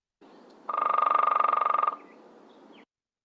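Downy Woodpecker drumming: a soft, even roll of about twenty quick taps in just over a second, steady in pace and pitch, over faint background hiss.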